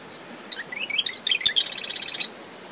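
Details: A marsh wren at dawn beside its nest in shrubs on a windy dune after tropical depression Claudette: a run of sharp twittering notes accelerating into a rasping rattle, one faint click midway. A cricket's thin drone and surf fill the background.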